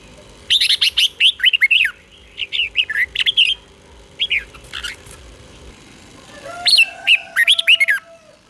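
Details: Red-whiskered bulbul singing its doubled song, used to teach young birds, in bright, rollicking phrases of quick warbled notes in bursts, pausing between, with a faint steady hum behind.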